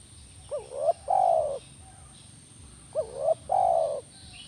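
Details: Spotted dove (tekukur), recorded as playback therapy meant to make a caged dove answer: two cooing phrases, each a short rising double note then a long, level, throaty coo, about two and a half seconds apart, with faint high chirps behind.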